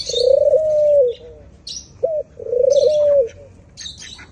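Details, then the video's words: White doves give repeated low, smooth coos, each about a second long and slightly wavering, separated by a brief sharp note. Faint high chirping from other small birds runs underneath. "White doves k itni pyari voice"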